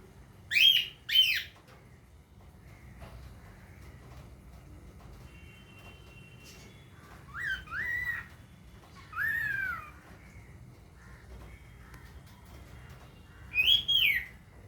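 A cockatiel gives loud, shrill rising whistles in short pairs, with quiet pauses between.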